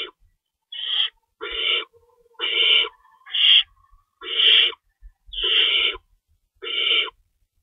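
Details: Owl at a nest during feeding time, 3:53 AM on March 25, 2012, with two rabbits stored as prey while one adult stays in to shred food for the young; harsh, raspy hissing screeches, roughly one per second, separated by silence.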